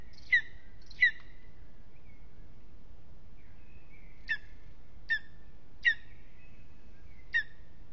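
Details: On a restless evening at an aspen nest in Aizkuja, Latvia, a lesser spotted eagle gives clipped, high yelps: two quick notes, a pause of about three seconds, then four more spaced irregularly, with faint whistles between.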